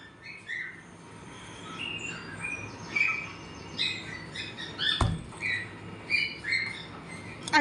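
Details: A pet cockatiel named Cookie, being scolded for naughty behaviour, gives a run of bright, short chirps and whistled notes, with a sharp thump midway; cockatiel (Nymphicus hollandicus) chirping calls.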